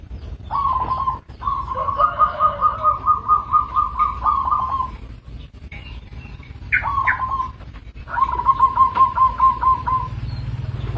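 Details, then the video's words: Local zebra dove calling: a long string of quick, evenly pulsed cooing notes held on one mid pitch, a short phrase and then a longer run, with faint low background rumble. "Suara Perkutut lokal"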